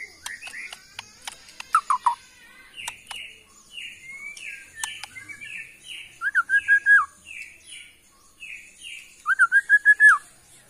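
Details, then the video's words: Borneo white-rumped shama from the Kalimantan forest, a caged songbird, giving spaced whistled notes, then quick series of short downslurred chirps and fast bursts of sharp repeated notes. "AKSI murai batu BORNEO ori Hutan KALIMANTAN"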